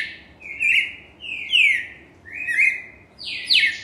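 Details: Cardinal in Brazil singing vigorously: loud, clear slurred whistles that sweep downward, each about half a second long, delivered roughly once a second in a steady series of four phrases, with a quiet background.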